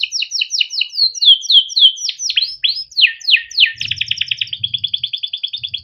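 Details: Indonesian pet canary, a male, in long continuous song played to train juveniles: quick repeated downslurred chips, sweeping whistles, then a steady rapid trill, with a faint low rumble behind.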